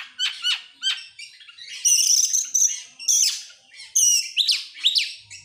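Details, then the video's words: Excited Oriental magpie-robin singing while opening its tail, in persistent rapid-fire kacer style: quick sharp rising chirps at the start, then loud high whistled phrases and buzzy notes repeated in rapid bursts. "sekali dengar langsung EMOSI NGOBRA GACOR BUKA EKOR, burung kacer nembak,Kacer gacor"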